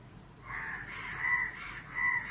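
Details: Crows in a group mobbing a barn owl at a neighbouring house in Dhaka, Bangladesh, on a bright sunny day; harsh, drawn-out caws overlap and follow one another, with no other clear sounds.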